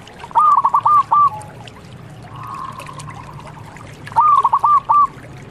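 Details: Zebra dove of local stock singing two short bursts of four or five quick, clipped cooing notes, separated by a soft drawn-out hum, with low background rumble throughout.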